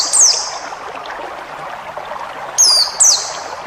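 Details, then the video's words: White-eye from a forest-style training recording for cage birds: a single high slurred whistle, silence, then two more falling notes near the end, against a constant hiss. "masteran burung pleci ngalas full isian"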